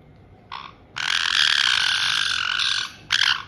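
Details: Pet white-bellied caiques in Tokachi, Hokkaido, Japan, greeting a newly homed two-month-old bird in June 2023: a short harsh note, then a sustained loud grating screech about two seconds long, and a final brief burst.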